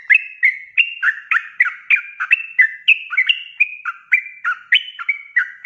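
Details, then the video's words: Energetic sooty-headed bulbul in continuous ropelan song, meant as a tutor recording for caged birds: brisk, repeated whistled phrases with bouncing up-and-down notes, about three to four per second, clean background. "SUARA ROPELAN BURUNG TRUCUK GACOR"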